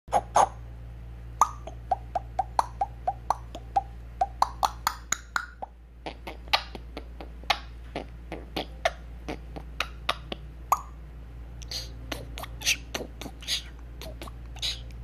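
An African grey parrot beatboxes, rattling off rapid percussive clicks, pops and smacks with a few short whistled notes, in bursts over a steady low hum.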